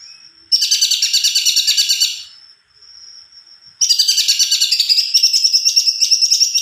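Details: Actively singing greater green leafbird delivering a long roll: two bursts of quick, high rattling notes, each around three per second, joined by a faint sustained whistle.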